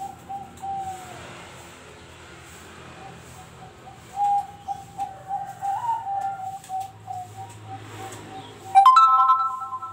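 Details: Zebra dove kept as a contest bird, often nominated at regional and national contests, giving a run of soft, low, rolling coos in the middle, then one louder, ringing coo at the end over a faint steady hum.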